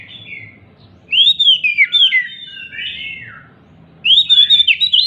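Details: Excited, jumping Oriental magpie-robin whose song serves as bait for magpie-robins that stopped singing: a series of loud, sweet descending whistles, a softer warbling pause, then another loud burst of rapid whistled notes.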